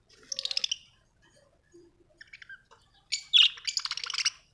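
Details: Pet budgerigars at home: a rapid buzzy trill, then soft scattered notes, ending in loud, harsh, fast-pulsed chatter.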